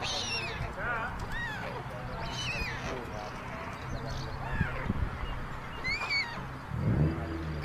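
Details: A nest of white storks on a chimney in Ságvár, Hungary, surrounded by meadows and wetlands, 22 May 2024; older chicks take food from the youngest. Several thin arched wails and squeals overlap above a low hum and faint voices.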